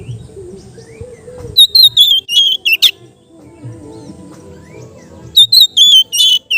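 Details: Oriental magpie-robin, a kept bird, sings relaxed ngeplong phrases meant to coax untrained birds: rapid clusters of crisp whistles, chips and downslurred notes, a lull with low hum, then a second quick burst.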